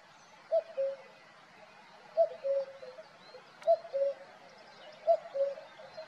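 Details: Singing male cuckoo in Valdeolea gives four steady cu-coo phrases, a higher first note dropping to a lower second, roughly every one and a half seconds over quiet rural background.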